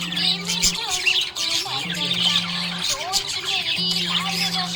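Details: Happy budgerigar chirping in a dense, busy warble of high scratchy chirps and squeaks, with a steady low hum that starts and stops three times underneath.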